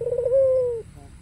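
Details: Single smooth coo from a white ringneck dove with a black collar, cooing to provoke rivals: a low note that holds steady, then glides gently down and stops abruptly.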